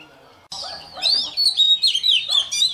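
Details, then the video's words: An Oriental magpie-robin, newly caught, warms up its voice with morning song. After a brief quiet start, a continuous high warble of twisting whistled notes rises and falls in loud pulses. "Choè than bổi lên hót luyện giọng lên lửa mỗi sáng"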